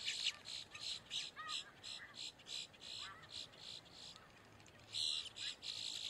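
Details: Boat-tailed grackle giving warning or distress calls: rhythmic rasping bursts about two per second, with soft, short rising whistled notes mixed in between.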